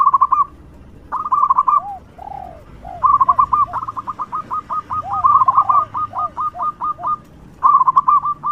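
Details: Zebra dove of local stock singing loudly, used as a lure for other doves; long runs of sharp staccato whistled notes at a steady pitch, broken by soft low arching coos.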